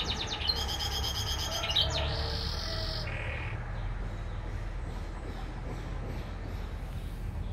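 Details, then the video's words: A canary sings bright, high rolling trills and buzzy notes for about three seconds, then falls silent over a steady low rumble of background noise. "Burung Berkicau"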